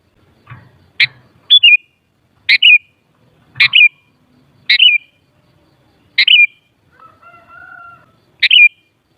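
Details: Sooty-headed bulbul giving short, bright, bubbly phrases that drop in pitch, about seven in nine seconds at uneven intervals, with a steady, lower whistled tone late on and faint low rumbles in the background.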